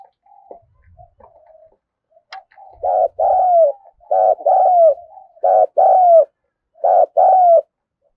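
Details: A spotted dove urges newly caught birds to call. Soft, faint murmured coos open the recording, then four loud, evenly spaced pairs come in, each a short throaty note and a longer downward-gliding coo.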